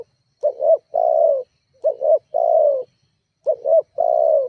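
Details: Energetic spotted dove call used to lure and provoke rival doves: three phrases, each a double short coo then a longer, gently falling note, repeated about every 1.5 seconds.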